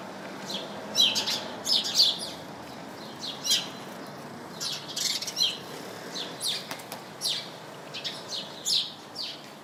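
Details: A shrub full of house sparrows tweeting: clusters of short, high, overlapping chirps throughout, several birds calling at once over faint background noise.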